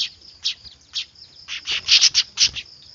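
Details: Weaver (manyar) chicks calling noisily, used as a lure: bursts of shrill, harsh high chirps that grow denser and louder in the second half, over a faint constant high whine.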